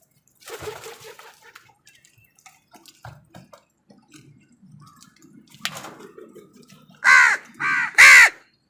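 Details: Crows fighting with wild birds over food; after scattered faint calls and dripping-like clicks, three loud harsh caws with stacked bands come near the end, two close together then one more.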